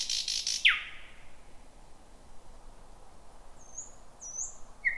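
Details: Thrush nightingale singing at night in dense bushes in 2026, first heard at 23:58: a buzzy rattle, then a steeply falling note, a quiet pause, and soft high thin whistles near the end.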